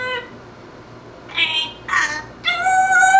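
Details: Female African grey parrot at home with a wide outdoor view, mimicking human speech: a short high voiced syllable, a pause, then two quick harmonic-rich syllables and a longer sustained phrase, like saying "love you, bye", in a quiet room.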